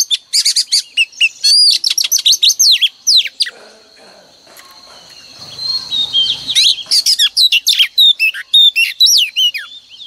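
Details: Female oriental magpie-robin singing in the morning, a lure song played daily to stir males into singing: bursts of bright, sweeping whistled notes and rapid chirps, a quieter pause in the middle, then another run of varied whistles.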